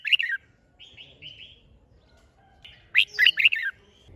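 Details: Red-whiskered bulbul song used to stimulate fighting song: a warbled phrase, softer mid-pitched notes, then a louder burst of three or four sharp, bright slurred notes.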